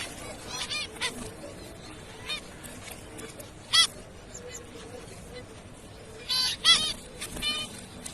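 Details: Zebra finch producing scattered short, nasal, honking calls, single and in quick pairs, with irregular gaps between them over faint background hiss.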